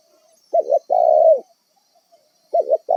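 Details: Wild-caught spotted dove serving as a trapping decoy, voicing a clipped double coo and then a sustained level coo, with a new phrase beginning at the end; the background is otherwise quiet.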